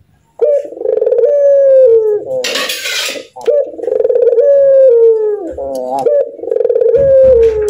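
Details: A frequently laughing pet Barbary dove repeats drawn-out, descending coos in rolling bouts, with chuckling laugh notes and a burst of rustling noise between phrases.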